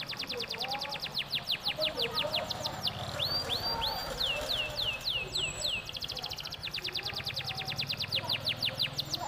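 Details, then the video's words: A canary sings as a lure to prompt other canaries to sing, with fast, bright rolling trills of rapid high notes, shifting into slower, downward-swept whistles before the quick trills return. "Suara Burung Kenari Gacor | pancingan kenari agar ikut bunyi"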